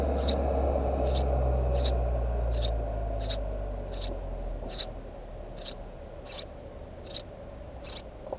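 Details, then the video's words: House sparrow recorded at a nest site, giving a regular series of ten thin, high chirps spaced under a second apart against a low droning background. "Воробей домовый"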